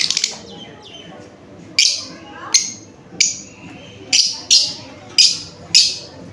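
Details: Lovebird giving shrill, high-pitched chirps in an irregular sequence, several in quick pairs, set against a constant low rumble of background noise.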